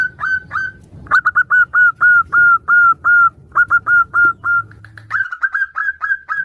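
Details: Female local zebra dove calling for a male amid answering doves; steady whistled notes repeated about three times a second in runs, with a low background hum that stops near the end.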